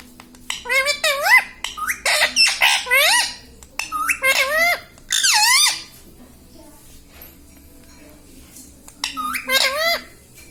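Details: Parrot mimicking the word "Mummy": a rapid run of swooping, harmonic syllables in the first six seconds, a silent pause, then a final short burst of speech-like calls.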